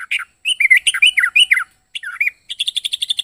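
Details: Yellow-vented bulbul giving its unusual, varied song: bubbly, warbled notes in quick bursts with short pauses, ending in a fast run of repeated chirps; no other sounds.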